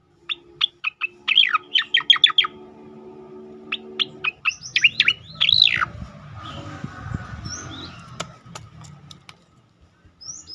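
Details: Striated grassbird tembakan song for masteran training and provoking other birds: quick series of sharp whistled notes with a warbled flourish, repeated after a pause, then faint scattered high notes over a low rumble.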